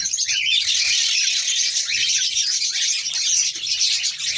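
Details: Female red-crowned parakeet, or New Zealand kakariki, ready to mate, giving a dense, harsh, high chattering that runs without a break and rises and falls slightly in loudness.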